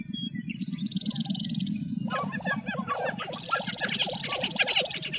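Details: Lesser prairie-chickens in Western Kansas give a low, rapid pulsing chorus, then loud repeated clucking, gobbling notes; thin high chirps from other birds ring above.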